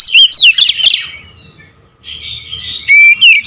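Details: Oriental magpie-robin singing in the nembak ngerol style: a quick run of loud, sharp whistled notes sweeping up and down, a softer warbling pause in the middle, then a second burst of clipped, piercing whistles.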